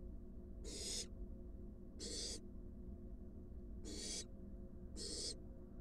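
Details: Wild barn owl nest box; an adult arrives with a large rat for its fledgling. Four short, noisy hissing screeches spaced roughly every one and a half seconds, above a low steady hum.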